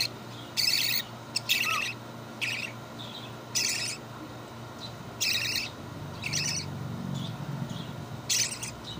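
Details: A hand-fed budgerigar gives harsh, raspy bursts of sound, each about half a second long, repeated at uneven intervals.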